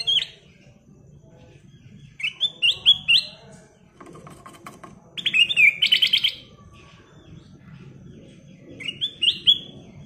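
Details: Ruby-throated bulbul in full, lively song: three bursts of clear whistled notes, each gliding into a fast, stuttering trill of repeated notes, over a faint low background hum.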